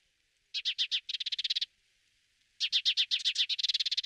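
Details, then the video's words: Spanish sparrow recorded in Toledo province, Spain, in November 2019: two bursts of rapid, dry chirping notes, each burst speeding into a quick chattering series, separated by a second of silence. "GORRIÓN MORUNO | SPANISH SPARROW"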